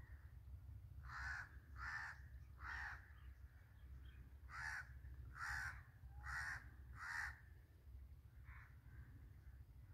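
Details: Birds in a jungle while feeding, giving harsh, hoarse cawing calls in two bursts of about three and four notes, with a fainter call near the end over a steady low rumble.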